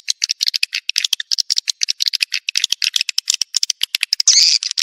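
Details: Edible-nest swiftlet lure recording for a swiftlet house: fast, rattling series of high dry clicks, several per second, ending in a louder buzzy chirp burst.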